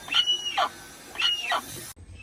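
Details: Little hornbill: two harsh double notes, each a high nasal bark followed by a lower rasping note, then the sound cuts off abruptly.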